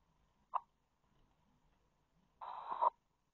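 A zebra finch gives a brief nasal note, then a longer, buzzy, horn-like call.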